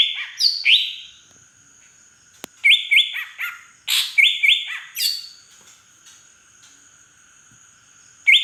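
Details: Song of a large wild-origin green leafbird from Aceh's Beutong forest, its fill-in mimicking a drongo: repeated bright, level whistles dropping in steps, mixed with harsh chirps and one sharp click, in three lively bursts over a faint steady hum.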